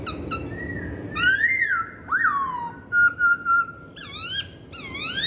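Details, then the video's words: Chinese hwamei song of clear whistles: a long rising-falling slur, a sharp upsweep dropping away, three short level notes, then looping whistled phrases sliding up and down. "Kicauan Poksay Hongkong"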